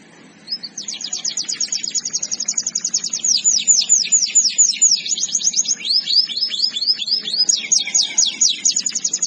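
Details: Canary singing a masteran (training) song: fast, rolling trills of high, sweeping notes repeated about twice a second, in shifting phrases over nine seconds, with a faint low hum behind.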